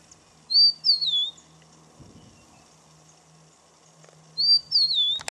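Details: A Rufous-naped lark, perched on a branch and displaying, gives a high, sweet, sliding two-note whistle that dips at the end, repeated about four seconds later, over a faint low hum.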